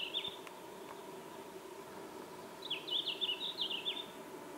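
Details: A Red-flanked Bluetail (Tarsiger cyanurus) in the Ural Mountains, Russia, on 19 June 2016, gives a brief high note, then a quick run of thin, descending whistled notes, over a steady low background hum.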